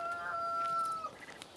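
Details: Rooster crowing at a homestead deep in a village among hills: one long, steady, clear note held for about a second, then a quick downward fall at the end, followed by faint scattered chirps.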